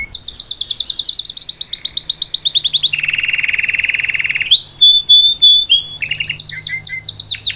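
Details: Salsa canary singing as a lesson for a young bird, opening with a rapid descending rattle, then a low buzzy trill, a clear whistle and assorted quick high notes; faint low hum underneath.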